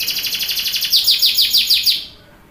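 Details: Canary song for encouraging young canaries to start singing: a rapid rhythmic trill of repeated buzzy units, roughly six per second, ending abruptly into quiet.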